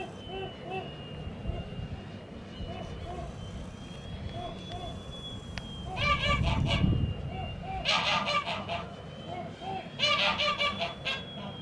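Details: Young Toulouse geese hatched in 2017, recorded on a farm in January 2018. Soft low calls are followed by loud bursts of harsh honking around the middle and near the end, over a steady low rumble and a faint high whine.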